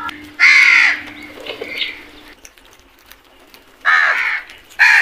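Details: Crows in a flock attacking food: a loud harsh caw, a softer call, then two more raspy caws after a quiet gap; faint low hum early on.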